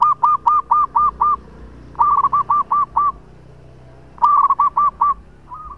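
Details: Local zebra dove in strong, long-phrased song used as a lure: loud, clean bursts of five to six quick hooked coos, repeated in three phrases with short silent gaps between.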